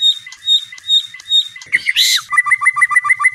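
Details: White-rumped shama night song for training a contest bird: evenly spaced high whistled notes, a harsh scratchy burst, then a rapid series of short paired whistles.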